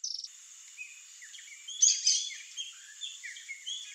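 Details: Swallow-tailed hummingbird (Eupetomena macroura) in Brazil gives thin, high chips and short twittering notes at an uneven pace, over a steady high-pitched hiss, possibly insects.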